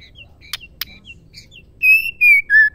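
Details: Female white-rumped shama calling to trigger male song: soft chips and two sharp clicks, then three loud, pure whistled notes, each slightly lower than the one before.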